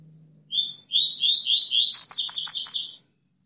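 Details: Double-collared seedeater singing in a lively cutting style: a few clear high whistled notes, then a rapid run of buzzy, sliding elements that thicken into a dense, scratchy trill for about two seconds before stopping abruptly.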